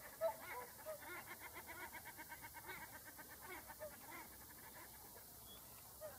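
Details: Whooper swans calling, a chorus of soft, nasal, trumpeting notes overlapping at a steady pulse, with a few higher honks standing out near the start and end against a distant background hum.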